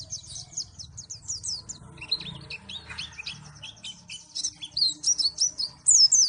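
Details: Pleci from Malang, a white-eye, in a lively varied song: high rapid twittering chirps, some lower notes midway, then loud sharp slurred whistles near the end, over a soft hum.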